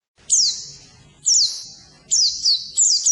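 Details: Oriental white-eye song used as training material for birds that have stopped singing: high, thin whistled phrases sliding downward, three to four bursts spaced about a second apart, with quiet gaps between.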